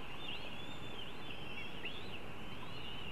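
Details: Northern goshawk young being fed: a steady, reedy high whine bending up and down in short waves, with a couple of brief squeaky notes, over constant low background noise.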